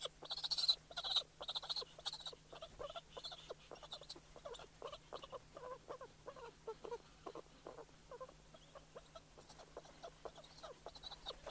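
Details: Courtship calling by snow petrels at the nest, a single bird then a pair, heard close: a stuttering run of rough, clicking pulses, about two per second, loudest at the start, then an uneven chatter.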